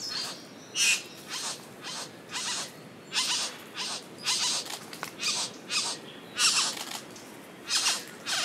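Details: Satin bowerbird at O'Reilly's Rainforest Retreat, filmed on a Panasonic Lumix GH5s: harsh, buzzy bursts repeated about every half second to second, evenly spaced over the whole stretch against a quiet background.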